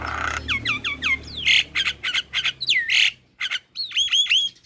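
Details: Young male Javan myna singing loudly: a rapid series of clear downslurred whistles, then harsh squawks and a swooping whistle, ending in ringing upslurred notes.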